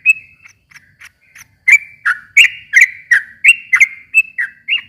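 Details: A sooty-headed bulbul's provoking song for stirring a silent bird to sing back. It opens with soft scattered notes, then becomes a loud string of bright, bubbly whistles at a quick, uneven pace.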